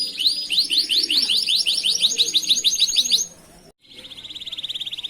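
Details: Canary song from a master recording for training other canaries: a loud, quick run of repeated high chirping notes, then a brief silence, then a softer, steady, fast trill.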